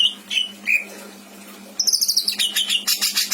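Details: Pet greater green leafbird singing: a few whistled notes, a short pause, then a fast run of rapid repeated chattering, buzzy high notes, harsh and dense toward the end; faint constant hum behind.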